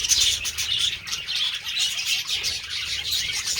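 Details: Budgerigars during mating give continuous high, twittering chatter with rapid chirps and warbles, joined by rustling and wing-flapping sounds.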